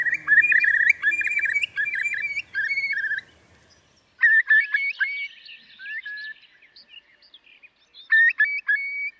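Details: Eurasian curlew calling in bursts of short, clear piping notes, fast and uneven, broken by a pause of about a second before resuming in scattered groups.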